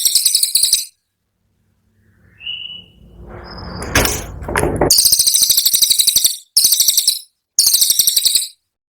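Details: Cililin training song with loud, rapid chattering bursts of high repeated notes, broken by a thin whistle and a noisy rustling stretch, then three more quick chatters separated by short gaps.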